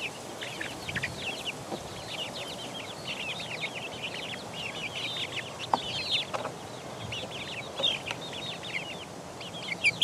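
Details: Young chickens, four weeks old, pecking: a thick chorus of short high peeps and chirps, many chicks calling at once, only faint tapping beneath.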